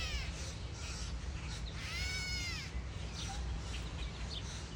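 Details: Gray Catbird at a backyard feeder in the morning gives its single nasal, cat-like mew that arches and slurs downward. A steady low rumble and a few faint chirps sound behind.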